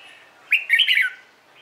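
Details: Red-whiskered bulbul morning competition song from a training session. One brisk phrase of bright whistles opens with a sharp upward note, then flows into a quick chain of rolling, falling warbles lasting about half a second.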